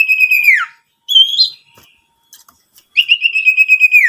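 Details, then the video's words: Owlet calling, used as a lure to draw in wild owlets and set others calling. Long vibrating whistles hold steady and then drop, with a shorter rising quaver between them. "Pancingan burung sirtu super gacor"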